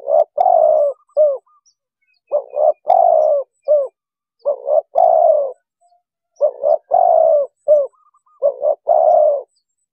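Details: Spotted dove, a sound used by trappers to lure wild birds, played from an MP3 speaker: a short double coo followed by a longer rolling croo. The phrase repeats roughly every two seconds in a clean recording.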